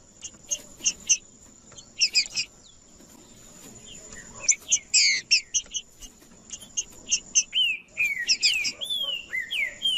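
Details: Green-winged saltator, a male in aggressive display singing to rile other males. Sharp clicking chips and short bursts come first, then clear downslurred whistles follow in close succession over a faint constant high whine.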